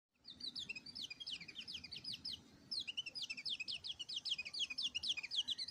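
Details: White-eye singing a fast, high-pitched run of sharp chirping notes, many short descending twitters in quick succession with one brief pause midway, over a faint low rumble.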